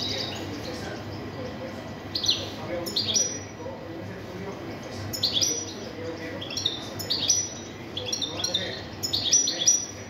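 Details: European goldfinch (jilguero) singing: bursts of high, bright twittering and trilled notes in phrases of a second or two, separated by short pauses, over a steady low background hum.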